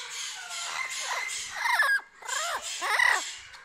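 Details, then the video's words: Sulphur-crested cockatoo, a large white cockatoo visiting a backyard in Australia in the afternoon, quiet and observant; a few harsh, wavering squawks with ragged overtones, two louder bursts near the end, over a faint background hiss. "Bird Sounds/ Cockatoos in Australia"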